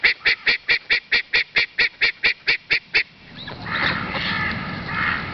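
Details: Ducks quacking: a rapid, evenly spaced series of about thirteen nasal quacks, roughly four a second, followed by a noisy mix of overlapping calls and chatter.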